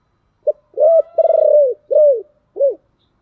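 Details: Thổ-voiced spotted dove calling: a clipped low note, an arched coo, a long throbbing coo easing downward, then two shorter rounded coos ending the phrase.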